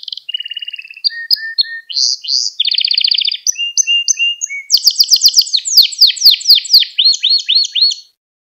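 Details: Canary training song for young canaries: soft whistles and short buzzy rolls, a series of chirped notes, then loud fast rising sweeps repeated in a rapid trill that fades at the end.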